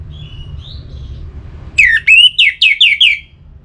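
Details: Orange-headed thrush singing, a recording used to urge birds to sing: a faint thin whistle, then a loud phrase of about seven slurred whistles, the first rising and the rest falling, in quick succession over low background hum.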